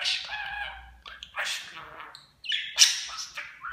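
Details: Budgerigar kept as a pet, copying spoken Turkish words. Raspy speech-like phrases with layered harmonics, then a brief silence and a sharp, high chirp followed by a rising whistle-like note.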